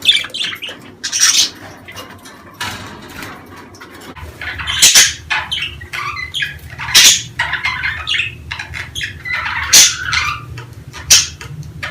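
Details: Budgerigars, sound aimed at stimulating breeding: quieter, scattered squeaks at first, then livelier chirps and sharp squawks repeated every second or two over a low background hum.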